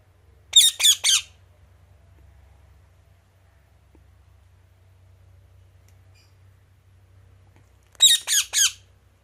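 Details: Natural voice of an Indian ringneck parakeet: a burst of three rapid harsh squawks, a long quiet pause with low hum, then another triple burst of grating squawks near the end.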